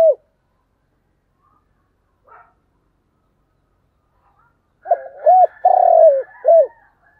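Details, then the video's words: Spotted dove, thúc gù call: after a quiet stretch, one complete phrase of short hooked notes, a long rough rolling coo and a final hoot. Faint higher bird chatter runs alongside it. "tiếng cu gáy/ cu gáy thúc gù"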